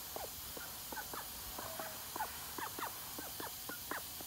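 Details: Quick, chattering quacks from a call duck bathing right after being put outside in the morning, sharp bright notes tumbling in irregular rapid series, with soft background hum.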